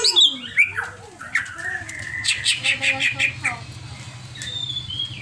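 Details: Agitated caged greater green leafbird delivering sharp high notes, then looping whistles and a quick burst of repeated chips, fading into a thinner high whistle over a low background hum.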